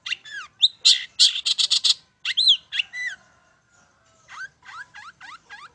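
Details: Long-tailed shrike song for prompting birds to sing. Bursts of harsh, grating notes and curved whistles give way to a near-silent gap, then softer repeated slurred whistles close the clip.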